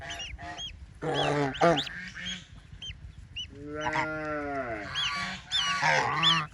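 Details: Baby ducks playing in water give thin, high, arched peeps in quick bursts, mixed with lower, rich honking calls that rise and fall in between.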